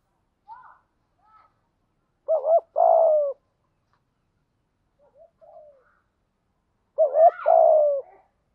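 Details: Spotted dove decoy cooing to lure wild doves: faint soft notes, then a double-pulsed coo and long burry coo, quiet notes, and the same paired phrase again.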